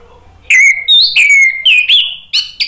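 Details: Orange-headed thrush singing loudly to provoke other birds into answering. Fluty whistled phrases rise and fall, one long gliding whistle and several short slurred notes in a quick, varied sequence.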